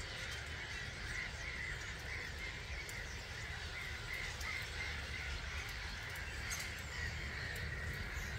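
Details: Massed starlings, about 250,000, leaving roost at 05:45 in March at Gibraltar Point NNR; a constant, pulsing chatter of many overlapping calls with faint high clicks, over steady wind noise.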